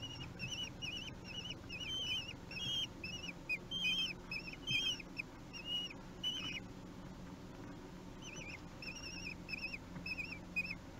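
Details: Common kestrel chicks, three weeks old, begging during a feeding at a nest in Théding on 8 June 2021; thin wavering whistled squeals in rapid bursts, some quavering, over a steady low background hum.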